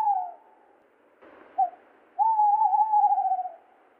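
A tawny owl's low hooting: a short hoot, a brief note, then a long wavering, quavering hoo held for over a second.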